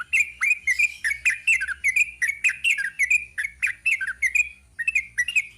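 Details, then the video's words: Yellow-vented bulbul singing a long rapid 'ropel panjang' style song: bright chirpy notes repeated in quick succession, about two to three per second, with sharp upward and downward flicks and no pauses. "Kicau TRUCUK ROPEL PANJANG"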